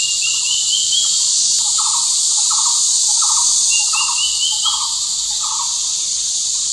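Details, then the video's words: Square-tailed drongo-cuckoo in low-elevation Arunachal in summer gives quick runs of thin, rising whistles, two runs in seven seconds, over a loud, steady insect drone and a lower, repeated pulsing call. "Square-tailed Drongo Cuckoo singing"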